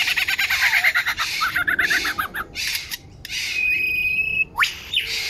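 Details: Lyrebird singing in Australia in 2019, a varied repertoire: rapid stuttering chips, a run of twittering notes, harsh bursts, then a long steady whistle at one pitch followed by a sharp rising sweep.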